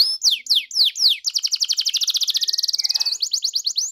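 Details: Canary song played to get a canary singing: four looping downswept whistles, then a very fast even trill of high notes with a fainter low tone beneath, ending in quick rising notes.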